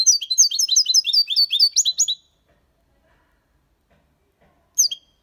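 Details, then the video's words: Malaga-copy song by a six-month-old goldfinch: about two seconds of quick, jangling twitters and buzzy notes, then quiet, ending with a single sharp chirp. "Jilguero cantando Limpio 6 meses/ chardonneret chante la copia Malaga / Goldfinch singing"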